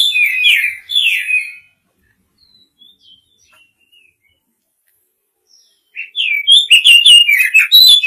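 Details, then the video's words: White-rumped shama singing to call a female: two slurred whistled phrases, a long near-silent gap with faint distant notes, then a burst of rapid, bright, varied whistles and chirps. "Âm thanh Chòe hay, kích trống gọi mái"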